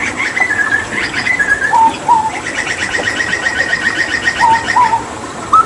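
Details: Tembakan from a Papuan hooded butcherbird used to train other cage birds: whistled phrases and lower fluty slurs alternate with a long rapid series of repeated chips, finishing on a rising whistle.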